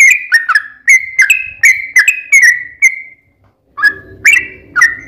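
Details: Yellow-vented bulbul (trucukan) song used as a lure to make other bulbuls sing: fast run of bubbling whistles, a brief silence, then a few more notes over a faint low hum.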